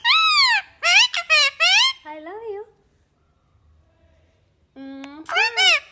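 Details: Pet Indian ringneck parakeet talking indoors: a string of loud, harmonic, arching squeaky syllables in quick bursts, a lower strained phrase, a pause, then a steady nasal tone and more rising-falling squeaks.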